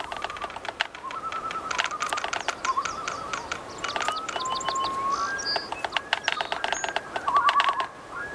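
Woodpecker tapping: sharp, irregular knocks spaced through the clip, over steady whistled notes from other birds or soft music.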